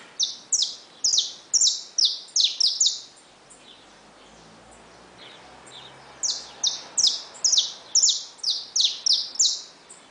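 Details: Saffron finches in a cage with chicks that have just hatched sing brightly. Two bursts of rapid, high, falling chirps, about ten notes each, are split by a quiet gap of roughly three seconds.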